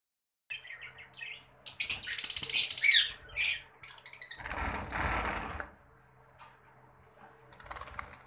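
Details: Lovebird parrot giving short, shrill, high chirps, starting with a few soft notes and then a dense, scratchy burst of screechy calls, with rustling and flapping-like noise and brief clicks near the end.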